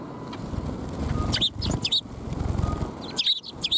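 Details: Sparrows coming to a shrine to be fed on 12 February 2021; clusters of sharp, high chirps in two bursts, with a low rumble and passing traffic-like noise underneath.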